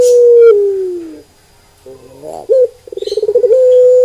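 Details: A Barbary dove (puter pelung) gives a long coo that sinks in pitch, a pause, a short accented note and a stuttering pulsed roll that settles into a steady drawn-out tone.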